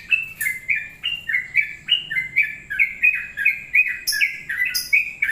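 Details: Long-plumed bulbul delivering a rapid, steady chain of clear chirping notes that step down and up in pitch, roughly two per second, broken by a few sharp high squeaky bursts; little else audible.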